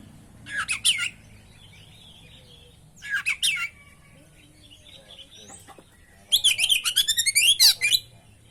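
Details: Oriental magpie-robin (kacer) delivering a lure training song full of fill-in phrases: two short bursts of harsh, high twittering, a soft scratchy interlude, then a long run of rapid, loud, buzzy whistles and trills, pulsing several times per second.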